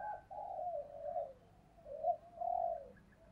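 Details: Spotted dove decoy calling to lure wild doves; soft, slurred coos flowing into one another, with a brighter accented note near the end, over faint low background hum.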